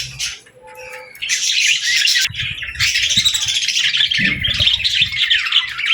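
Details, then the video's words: Young budgerigars and lovebirds feeding together: a brief quiet start, then a loud rush of rapid, overlapping high chirps and warbling chatter from several birds, with scattered low knocks and rustling. "Love Birds & Budgies Feeding Time Sounds"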